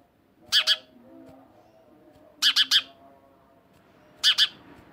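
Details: A house sparrow repeats short harsh chirps in three separate groups, two notes, then three, then two, spaced about two seconds apart against a soft background hum.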